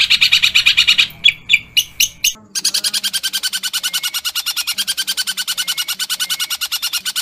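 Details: Long-tailed shrike: a short harsh roll, then a few separate loud chips, then a long, rapid series of scratchy buzzing notes with a faint lower tone behind.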